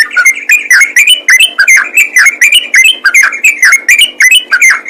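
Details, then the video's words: Yellow-vented bulbul (trucukan) singing in the busy, rapid ropel gacor style: bubbly whistled phrases that dip and rise, packed close together at about forty a minute, with sharp high chirps over them and no other sounds. "BURUNG TRUCUKAN ROPEL GACOR"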